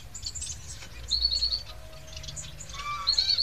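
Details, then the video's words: Young society finches begging with sharp, high chirps and short whistled strings, a brief lower trill near the end, over faint low background noise. "Piyik emprit jepang"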